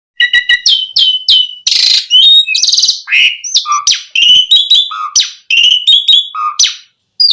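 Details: Asian pied starling song played to lure other starlings into singing; a rich varied string of clear rising whistles, short chirps and harsh broadband rasps, delivered in quick bursts with brief gaps.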